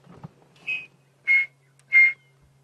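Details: A Chinspot Batis gives three clear, pure whistled notes, the first slightly higher, about half a second apart, over a faint low engine hum; heard at sunrise on July 4, 2016, Sabi Sand, South Africa.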